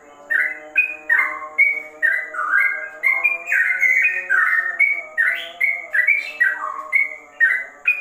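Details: Yellow-vented bulbul (trucukan) singing a fast ropel-style song said to resemble a straw-headed bulbul: bright whistled phrases of two or three linked notes rising and falling, about two per second, with a steady low hum underneath.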